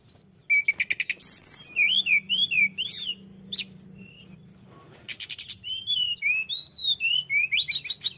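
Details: Tledekan gunung singing eagerly: high chirps open into a run of looping whistled notes, a pause, then rapid repeated sharp notes and wavy whistles, with a faint low hum beneath.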